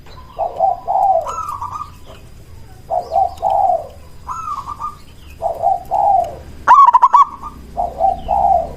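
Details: Local zebra dove lure calling to draw replies from other zebra doves. Gentle two-part coos repeat about every second and a half. A single sharp stuttered burst cuts in near the end.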